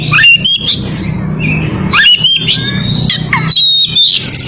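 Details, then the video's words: Calling a rival while in breeding condition, an Oriental magpie-robin gives bright rising whistles and swooping notes in quick clusters, interspersed with scratchy chatter, over a low rumble. "Kacer birahi memanggil lawan"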